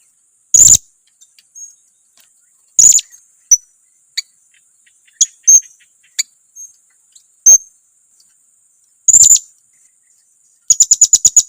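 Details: Lure call of a blue-crowned hanging parrot aimed at provoking rivals: scattered piercing high squeaks and faint ticks at irregular intervals, closing with a fast series of bright chips.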